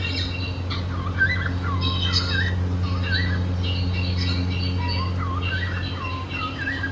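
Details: Happy pet cockatiel from a cockatiel couple, singing and playing indoors: quick, looping whistled warbles that rise and fall, mixed with short squawky chirps, over a steady low mechanical hum.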